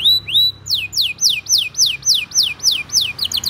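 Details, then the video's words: Canary song meant to tutor young canaries: two rising whistles followed by a regular run of loud downslurred whistled notes, about three per second, ending in quicker chips. "PANCINGAN KENARI GACOR PANJANG utk Masteran Kenari PAUD & PANCINGAN Kenari MACET BUNYI"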